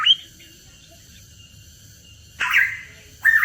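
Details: Hooded pitohui in a lure recording: one brief rising note, over two seconds of near silence, then a loud, broad, hoarse squawk and a final clipped call.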